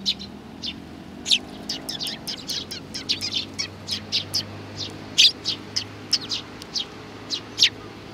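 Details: Busy sparrow chirping, young birds among them, 27 June 2019: dense, rapid high chirps, several loud sharp ones standing out, over a low steady hum.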